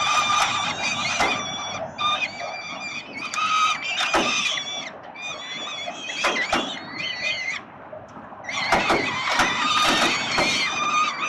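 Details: Peregrine falcon chicks at the 367 Collins nest, Melbourne, Australia, clamouring while their father feeds them, 30 October 2021: dense, overlapping shrill screeching and chittering, with loud scuffs and thumps throughout and a brief quieter lull.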